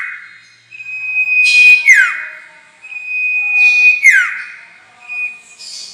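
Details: Sirtu trapping lure: two long level whistles, each ending in a rapid downward slur, about two and a half seconds apart, then a soft high buzz.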